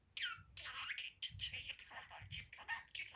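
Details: Talking budgie on a window perch, chattering shrill speech-like syllables almost without pause over a low background hum.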